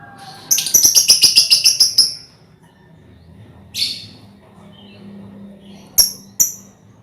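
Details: Lovebirds in a colony, played as a lure for trilling: a fast burst of about ten sharp high chips in under two seconds, followed by a lone raspy note and two quick clicks.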